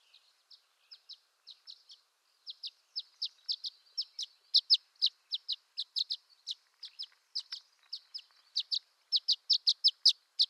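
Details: Violet-green swallow giving a steady series of sharp, high chips, loosely spaced at first and then quickening into a dense run of about two per second. Quiet background with no other sounds.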